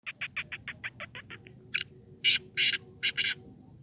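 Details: Black francolin (kala teetar, Sindhi teetar): a rapid run of about ten short, even, high notes, then a pause and several louder, harsh, grating bursts in uneven pairs, over a low steady background rumble.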